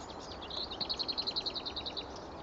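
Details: Lesser whitethroat singing at Pegwell on a morning of 24 April 2015, one of a light scattering in the area: a brief soft warble, then a dry rattle of about a dozen quick, evenly repeated high notes. Steady background hiss.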